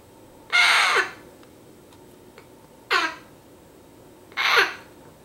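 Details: Eight-week-old baby female eclectus parrot giving three harsh, raspy squawks about two seconds apart, each loud burst ending in a downward slur; faint clicks between calls in a quiet indoor setting.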